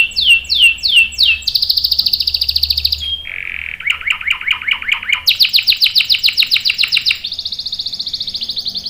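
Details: Canary giving a long rolling song for prompting and tutoring young birds: a few swooping whistles, a buzzy trill, a lower rapid trill, then bright fast high pulses and a closing even trill, changing tempo every second or two.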